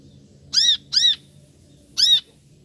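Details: Calls of a brown-throated sunbird: three bright, arched chirps, the first two close together and the third after a short pause, over a quiet background.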